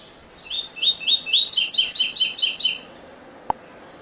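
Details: Double-collared seedeater, Coleiro Ouro Fino, classic-style tutoring song without the third note from a breeder's bird: rapid chain of high, buzzy double notes repeated steadily for over two seconds, followed by a single click.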